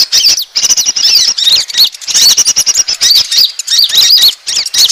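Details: Bird-attracting lure of Asian glossy starling: rapid sequence of high, sharp, upslurred and looping chirps, clustered in bursts with tiny gaps, bright and shrill throughout.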